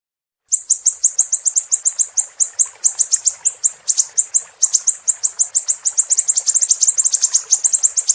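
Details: A long tutor-recording phrase from the Siri-siri: after brief silence, sharp high chirps follow in rapid regular succession, then accelerate into denser clusters over eight seconds.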